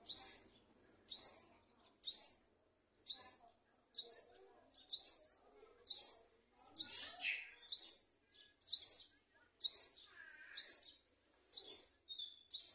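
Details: Olive-backed sunbird tending and feeding young, calling a clean run of about fourteen piercing upswept chirps at an even one-per-second pace, a faint extra twitter near the middle, otherwise quiet surroundings.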